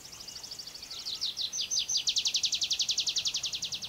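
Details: Tree pipit perched on the ground delivering a shortened strophe: a high trill that speeds up into a loud, rapid rattle of crisp repeated notes, about seven per second, over a light background hiss.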